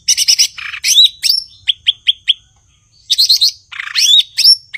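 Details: Singing cucak ijo (blue-winged leafbird): buzzy chattering bursts alternate with four clear descending-then-rising whistled notes, followed by more scratchy trills and a looping whistle.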